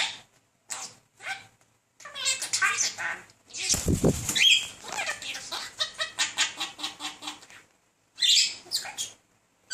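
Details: Male talking budgerigar persistently courting a female; scratchy chirping chatter in clipped bursts, interrupted midway by a loud flutter of wings, then rapid repeated squeaky notes.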